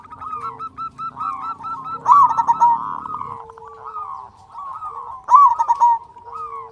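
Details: Local zebra dove singing often in a big voice, used as a lure to stir other doves to sing. Two loud cooing phrases open with a sharp rising note and then break into quick pulses, over softer overlapping cooing and a low hum.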